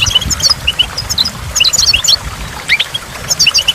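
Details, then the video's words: Near a waterfall, a goldfinch gives sparkling high twittered phrases broken by brief pauses, and a few sharper chirps, while splashing water murmurs in the background. "in the waterfall stimulates goldfinch and water drops"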